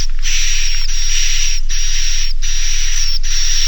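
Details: Naga Mas roosting sound for edible-nest swiftlets, used to make young swiftlets stay and roost: five buzzy, hissing rasps in under four seconds, separated by brief pauses, with a clear high whistled line over each.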